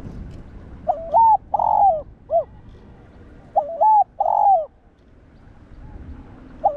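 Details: Captive spotted dove cooing, played to provoke and train other doves. Two phrases about three seconds apart, each a short opening coo, a longer, fuller coo and a brief falling final note, in a quiet setting.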